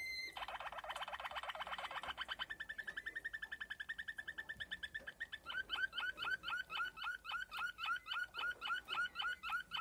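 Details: Waterslager canary (Malinois) song: a fast buzzy roll, then a steady trill, shifting into loud repeated bubbling water-like notes at about four per second.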